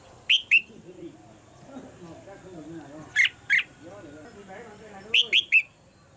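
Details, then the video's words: Red-whiskered bulbul, caged female, calling to excite the male into stronger song: paired bright falling whistles, then two harsh notes, then three quick whistled notes, over low murmuring human speech. "นกหัวจุก birds - เสียงนกตัวเมียในกรง กระตุ้นให้นกตัวผู้ร้องหนักขึ้น"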